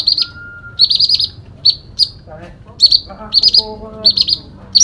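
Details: Sooty-headed bulbul in full fighting song: short rattling trills repeated in quick bursts, broken by lower, harsher, noisier notes midway.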